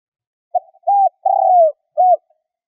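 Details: Decoy spotted dove cooing to call in wild doves: one soft, low, four-part phrase whose long third coo bends downward, followed by a short last coo. No other sounds are heard.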